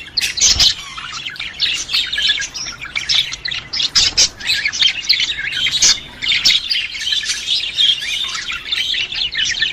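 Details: Flock of budgerigars chattering to encourage a female to breed: loud squawks, chirps and buzzy warbles in rapid bursts, with a few knocks or thumps.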